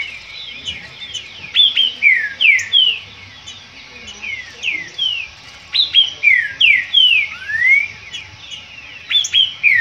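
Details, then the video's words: Green-winged saltator in a singing dispute, delivering bright downslurred whistled notes in rapid runs, including one long rising whistle, phrases separated by short quiet gaps. "Disputa trinca ferro."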